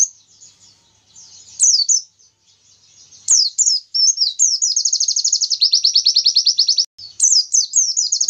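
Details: Oriental white-eye in long 'Nobita' shot-style song used to provoke rival birds: soft thin twittering at first, then loud high swooping phrases leading into an extended fast, evenly repeated trill, ending with more slurred whistled notes.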